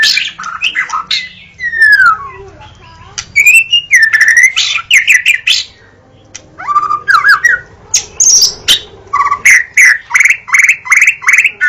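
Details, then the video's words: Indonesian white-rumped shama singing descending whistled slurs and mimic-like phrases, a short silence, then a steady run of repeated bright chirping notes. "jaminan bunyi pkai suara murai batu"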